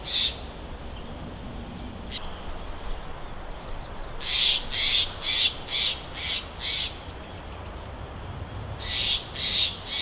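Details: Bald eagle at its Big Bear nest, recorded by a live nest camera: a rapid string of high, thin, squealing chitters, about two per second, falling quiet and then resuming, over steady camera hiss.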